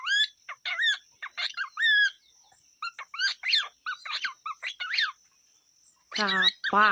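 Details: A pet cockatiel on a small farm chatters in quick bursts of short warbled and whistled notes, rising and falling, over a faint steady whine; a person speaks briefly at the end.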